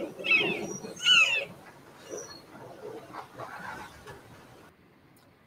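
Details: Red-shouldered Hawk screaming, the call it gives when protecting territory: two loud, harsh, high screams about a second apart, then fainter repeated calls, over a quiet room hum.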